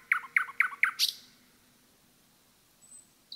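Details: Forest song of a common nightingale: four loud, evenly spaced throaty chook notes and an upward flick, followed by near silence broken by one thin high whistle and a final short note.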